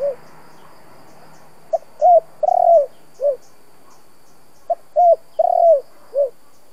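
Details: Spotted dove giving its 'giọng thổ' coo, used to rouse decoy doves, in two phrases. Each is a short note, a rising coo, a long rolling trilled coo and a low closing coo, about three seconds apart. Faint high chirps sound in the background.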